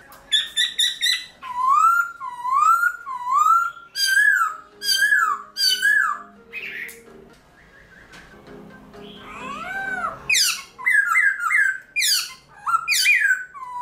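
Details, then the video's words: Caged black-throated laughingthrush singing at dawn to stimulate wild-caught birds: varied phrases of swooping whistles and sharp upward sweeps, with a quieter warbled stretch in the middle before loud, ringing notes return. "Luyện Khướu Bạc Má Hót Sáng Sớm Kích Chim Khướu Căng Lửa Hót Giọng Rừng"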